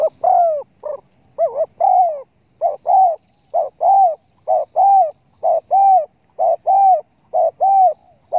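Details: Hunter's lure of a spotted dove: a steady run of soft low coos in short-long pairs, some notes wavering, repeating roughly every second across the stretch, with no other sounds.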